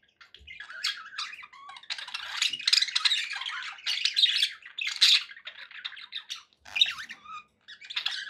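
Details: Budgerigars kept as pets, chattering in bursts: raspy warbles, squeaky chirps and harsh squawks rising and falling, with short gaps between flurries of sound.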